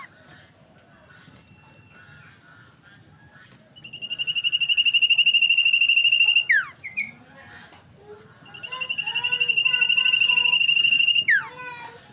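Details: Sirtu lure for prompting birds to sing: two long, even, fast-pulsed whistled trills of about three seconds each, each closing with a sharp falling slur, separated by softer twittering notes.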